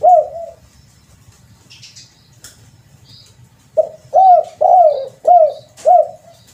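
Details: Spotted dove call used as a lure: one loud coo, a quiet gap with faint rustles, then five strong arched coos in quick succession.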